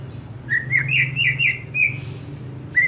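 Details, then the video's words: White-rumped shama for young wild-caught and post-juvenile birds: a quick run of bright, slightly buzzy whistled notes in one phrase, a pause, then a single rising whistle; low hum behind. "Memancing murai batu MUDA HUTAN dan LEPAS TROTOL agar GACOR NGEPLONG"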